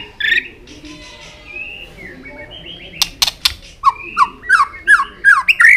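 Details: White-rumped shama's fighting song, delivered with tail flicks to stimulate young birds: a quiet opening of soft whistles, a few sharp clicks, then a rapid series of rising whistled notes growing louder.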